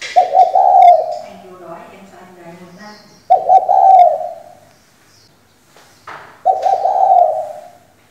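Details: Spotted dove hen used as a lure for singing males, repeating a rough, wavering coo three times at roughly three-second intervals, with faint muffled sounds between calls.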